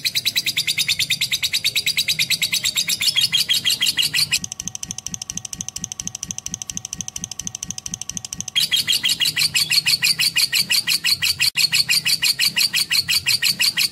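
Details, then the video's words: Lovebird with a long, rapid, shrill chattering song; the high chirping pauses for a few seconds, leaving lower pulsing sounds and thin steady tones, then the fast chatter returns. "AUDIO BURUNG LOVE BIRD JERNIH DAN PANJANG"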